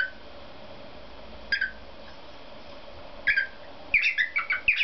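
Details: Cockatiel parrot singing: a few isolated chirps spaced apart, then a quick run of bright, warbling whistled notes near the end over a steady low background hum.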